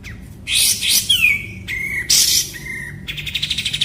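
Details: White-rumped shama (murai batu) in a master tutoring recording labelled kapas tembak: loud, varied high whistles and harsh bursts, with sliding notes, then a fast rattling series of pulsed notes near the end.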